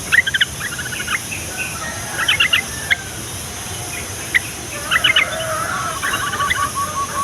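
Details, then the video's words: Yellow-vented bulbul calling to prompt young bulbuls to sing: scattered bubbly chattering phrases and sharp single notes in uneven bursts, ending in a longer warbled run, over faint outdoor noise. "SUARA TRUCUKAN INI BIKIN TRUCUK PAUD DAN OMBYOKAN LANGSUNG NYAUT"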